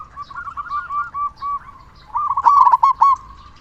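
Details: Vocal local zebra dove with a big voice, played to stimulate other doves to sing. Soft repeated coos build to a loud, rapid rolling phrase in the second half.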